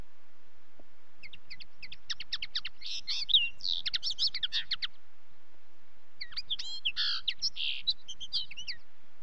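A common linnet gives two fast, twittering phrases of varied chirps, trills and buzzy notes, each lasting about three seconds. A low background rumble runs throughout.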